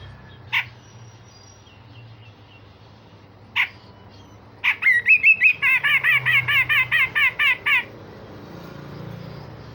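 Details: Grey-cheeked bulbul used as a singing tutor for other songbirds, giving a few isolated sharp notes, then a fast series of about a dozen loud, repeated bright chirping phrases, rough and piercing, before falling quiet amid low hum.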